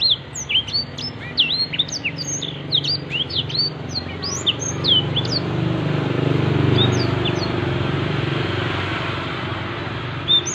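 A Black-throated Canary sings a fast, twittering stream of high, sweet chirps and slurred notes over a steady low rumble of distant traffic.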